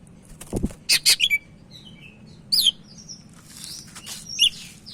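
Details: Sumatran leafbird singing, used as a tutor recording: rapid chirps and short sliding whistles among softer scratchy notes, with a dull thump early on and a low background hum.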